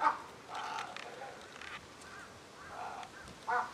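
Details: A crow that flew into a Humboldt penguin enclosure calls repeatedly toward the penguins: harsh, hoarse caws in short bursts, several in quick succession then a pause, over a low steady background hiss.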